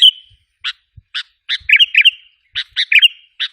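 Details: Used to provoke wild bulbuls, this Sooty-headed bulbul lure call has clipped single chirps followed by paired bubbly, descending warbled notes, with clean pauses between.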